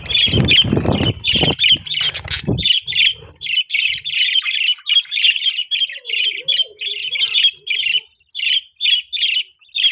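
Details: Budgies in a breeding cage start with wing flutters and rustling, then give steady rows of short scratchy chirps at a brisk even pace.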